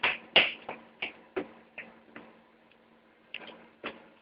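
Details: Sharp irregular taps and clicks over a faint steady hum, with no clear animal voice. The bursts are brief and percussive rather than chirped or whistled.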